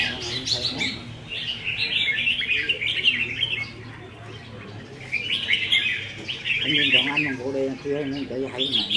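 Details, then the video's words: During a 15 May 2021 practice contest of caged red-whiskered bulbuls, two separated bursts of lively chattering song stand out, with a humming, voice-like tone and low background drone. "Chào Mào Đấu Giàn | Dợt Chim Chào Mào Đấu Hót"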